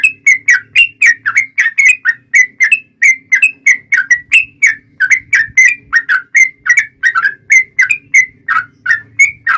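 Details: Yellow-vented bulbul, long fighting song intended to make other bulbuls sing in reply. Short slurred notes, some rising and some falling, pour out in an uneven rhythm of about three to four a second over a faint low hum.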